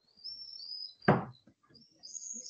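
Common Swifts give thin, high, drawn-out screams in two bursts, each under a second. A sharp knock cuts in between, and the sound has a slight indoor echo.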